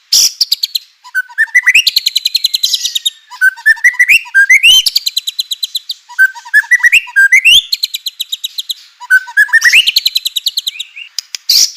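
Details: White-rumped shama song meant to provoke other shamas into singing: loud repeated phrases of rapid clicking trills rising into high buzzy rattles, about every two seconds.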